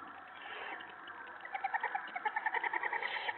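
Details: Owlets being fed rabbit by an adult in the nest box during evening feeding time: quick chittering notes in fast repeated bursts, building up over the final two seconds against a constant hissing background.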